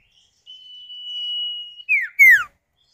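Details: Common iora, male and female calling in turn to draw other birds into song: a long, even, high drawn-out whistle followed by two loud sharply falling notes.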